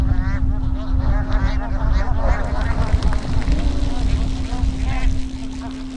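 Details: A flock of Bar-headed geese in Satpura, Madhya Pradesh keeps up a steady chorus of nasal, overlapping honks, over the constant drone of a boat engine and low rumble.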